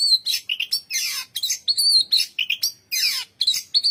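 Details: Birds chirping, recorded for relaxation: a busy, continuous stream of high, bright chirps, buzzy notes and quick downward-swept squeaks overlapping without pause.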